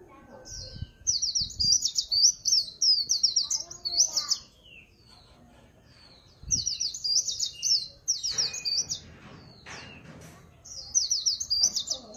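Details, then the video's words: White-eye singing in the líu pha chòe style: high, rapid warbling runs of zigzag notes in bursts of about three seconds, separated by pauses, with a few faint low thumps in between. "Tiếng Chim Khuyên Líu Pha Chòe"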